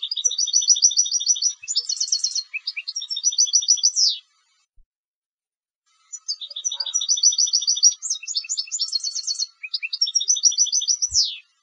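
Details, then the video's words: European goldfinch kept for song competitions delivers two long bursts of liquid twittering, mixing rolled trills and bright chirps, each ending with a falling buzz, separated by about two seconds of silence. "Canto del Jilguero de Concurso"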